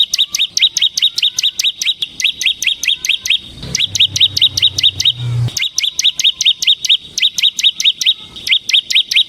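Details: Semi gacor ciblek, or Bar-winged prinia, singing to lure and train ciblek kristal: long runs of fast, ringing high chirps repeated steadily, broken by a short gap with a low hum beneath.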